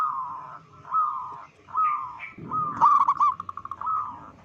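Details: Local zebra dove with a loud voice, calling to unsettle other zebra doves. Soft, wavering purred phrases repeat, broken by a brief burst of hooked coos and a quick pulsed trill, against steady low hum and rumble.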